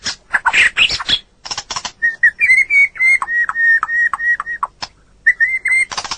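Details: White-rumped shama song recorded to train other birds: harsh scratchy notes open into a long steady whistled phrase broken by short clicks, then a final whistle and rasping note.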